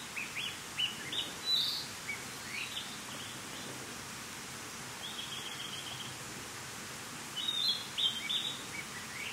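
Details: Narcissus flycatcher in song: two bursts of high whistled phrases, rising slurs and short flat notes, separated by a pause of several seconds with only soft ambient hiss.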